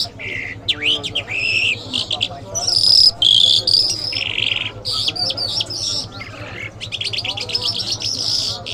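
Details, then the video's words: Iranian lark, known locally as jal and described as mashhadi mast, delivering a varied song of buzzy bursts, rapid clicking trills and high whistled notes, broken by short pauses, with a constant low hum underneath. "Jal Birds Iranians Lark Sounds"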